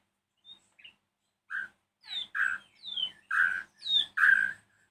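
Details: White-rumped shama in the evening, singing to provoke rival shamas into answering: after two soft notes it builds into a steady series of loud, harsh chirps mixed with falling whistles, roughly one a second.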